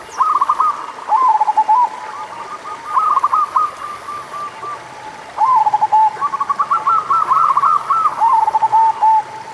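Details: Local zebra dove song played as a lure to get doves that are slow to sing going: bursts of quick, bubbling coo notes at one mid pitch, phrases of one to two seconds with short gaps, and a faint steady high whine behind.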